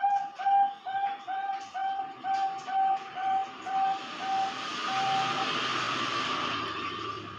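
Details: Female zebra dove (Bangkok perkutut) bought online, whose owner says its voice differs greatly from the advert: a steady string of short, clear cooing notes, about two per second, before a broad rushing noise covers the last seconds.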